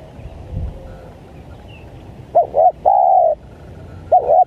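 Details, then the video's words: Spotted dove lure call, 'menekan' style, for wild doves: after two quiet seconds, two short arched coos and a long steady coo, then the next phrase begins. "Pikat Tekukur,Menekan, Tekukur Liar"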